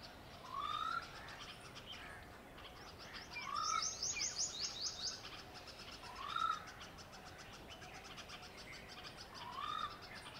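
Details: A pair of wire-tailed swallows perched on a swimming-pool ladder in a Delhi garden, sallying out for insects over the water, give short rising chirps roughly every three seconds, with bursts of high twittering over a soft hiss.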